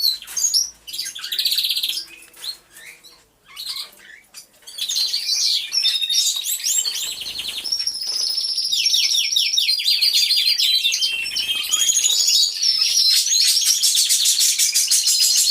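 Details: Canaries singing in an aviary, recorded as real sound: sparse chirps at first, then a swelling, dense chorus of rapid high trills and rolling warbles that keeps going without a break.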